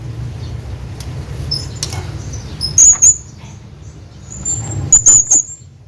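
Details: Male hanging parrot calling out for his friend: two bursts of piercing, thin, high squeaks in doubles and triples about two seconds apart, steady low rumble beneath.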